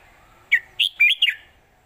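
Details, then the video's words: Master song of a red-whiskered bulbul in old southern Thai style, kept for teaching birds: one short phrase of four rich, warbled whistles, the third longest, ending in a quick double note. "ขึ้นจก"จก ควิก ไขว ยอ/สำนวนใต้เก่าๆ/เพลงใต้แม่บท(ไว้สอนนก)"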